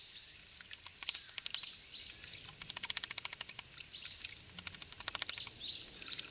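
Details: Japanese thrush (Turdus cardis), caught on a trail camera, calls in high, slurred notes alternating with rapid dry clicking bursts, repeating every couple of seconds, over soft outdoor background noise.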